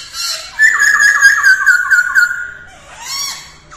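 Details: In early-morning voice training, a female masked laughingthrush delivers a rapid run of linked warbled whistles, followed by a softer harsh rasp.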